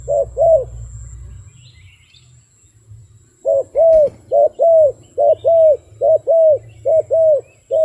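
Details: After a quiet stretch broken by one sharp click, a wild dove launches a rhythmic run of paired hollow coos, about one note every second, evenly spaced and loud against a low hum.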